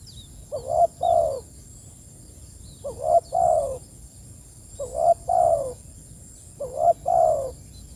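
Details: Spotted dove calling its companions: four low, mellow two-part coos, a short note then a longer falling one, repeated about every two seconds over a steady high background tone.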